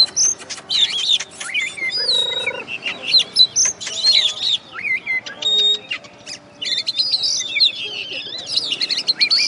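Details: First-place contest oriental magpie-robin, a West Kalimantan champion, delivers a dense stream of high whistled notes, trills and clicks, with a short lower buzzy sound in the middle and busy background noise.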